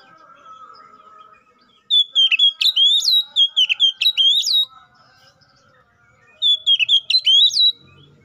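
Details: Magpie-robin 'ngeplong' song aimed at a rival, a lure for kacer: after a faint low hum, a loud run of staccato whistled upsweeps, a short pause, then a shorter repeat.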